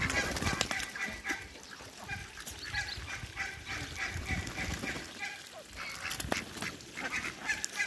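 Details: Many farm Muscovy ducks calling together: fast, busy honking and quacking notes tumbling over one another, roughly several per second, with clicks and handling noise mixed in.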